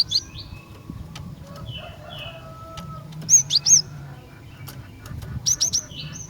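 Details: Female cinereous tit calling to males, mixing soft downslurred whistles with two loud clusters of three quick, sharp high chirps, separated by a few quiet seconds with faint clicks.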